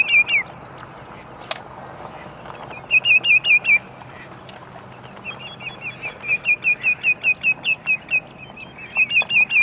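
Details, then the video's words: Sandpiper song at sunset, Montezuma, New York, 6 May 2019: several bursts of rapid, bright, twisting whistled notes, some runs longer than others, separated by short gaps, with faint clicks and a quiet wetland background. "Sandpipers Serenade the Sunset"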